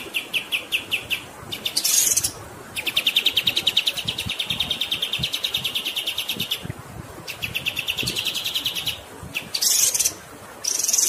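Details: Grey-headed Canary-flycatcher (kapas tembak), a long rolling 'ngerol' tutor song over flowing water: long runs of rapid, even, high chipping notes, broken by bright hissing, sizzling bursts, with steady water rush beneath.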